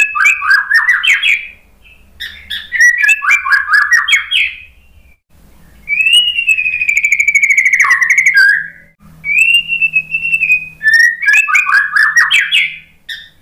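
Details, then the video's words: Lure song of a white-rumped shama, meant to coax a moult-stressed bird that has stopped singing into replying. Dense chattering bursts alternate with long, smooth, slightly descending whistles, then the rapid chatter returns. "MURAI BATU malas BUNYI, STRES PASCA MABUNG jadi ikut NYAUT ¦ PANCINGAN MURAI ¦ SHAMA BIRD"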